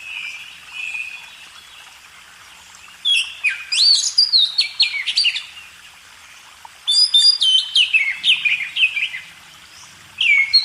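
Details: Training song of a magpie robin for caged birds: a faint whistle, then two loud bursts of jumbled whistles, chips and downslurs separated by a quiet gap, with a final short phrase starting at the end.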